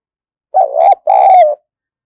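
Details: A lively decoy spotted dove used to attract wild birds gives one loud, clear coo in two parts: a wavering, throaty opening phrase, a short break, then a longer drawn-out note sinking slightly at the end.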